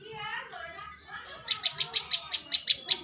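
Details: Contest-winning bar-winged prinia: after soft warbled chatter from other birds, a crisp series of about eleven loud clicking notes, evenly and rapidly repeated.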